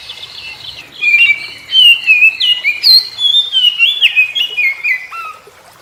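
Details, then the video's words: Morning song of an Oriental magpie-robin responding to other magpie-robins: after a quiet second, rich whistles, slurred glides and short chattery notes follow in a rapid, varied stream, ending with a lower whistled note. "Kicau KACER Pagi Hari KACER Lain Denger Langsung Ikut GACOR Nyaut Koar Koar"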